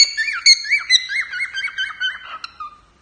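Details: Continuous, fast warbling of a male pet cockatiel singing to its owner: ringing whistled notes that bend up and down, ending on a drawn-out lower note that fades away.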